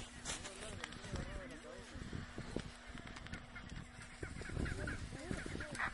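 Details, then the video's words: Fighting chinstrap penguins on the Antarctic Peninsula give harsh, braying squawks that rise and fall and overlap in quick bursts, over a steady low rumble of wind and colony noise. "Fighting Of Chinstrap Penguins"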